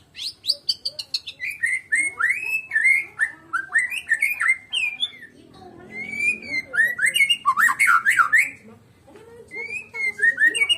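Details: White-rumped shama, a Medan-type murai batu, singing alone without a rival: a rapid, varied stream of loud whistled and chattering phrases, sliding notes and sharp rising and falling warbles repeated several times a second.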